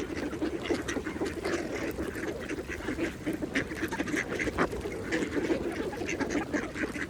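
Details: Mallards feeding at a pond: a busy stream of brief, nasal quacking and chattering notes from several birds, closely packed and overlapping throughout, with quiet water ambience beneath.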